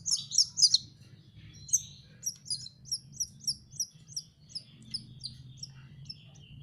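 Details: Canary chick learning to sing: a few loud high chirps open, then a rhythmic string of clear, downslurred tweets repeated about four times a second, tapering into softer notes over a steady low hum.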